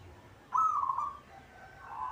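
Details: Zebra dove, a local caged bird, singing: a sharp-edged opening coo breaks into a rapid stuttering trill. A fainter, lower trilled phrase starts near the end.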